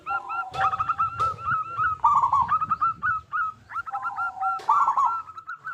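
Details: Local-strain zebra dove with a big voice, singing busily as a lure to prompt other zebra doves to sing. Rolling, bubbling coos are followed by a quick run of short, clear, repeated notes, broken by a few sharp knocks.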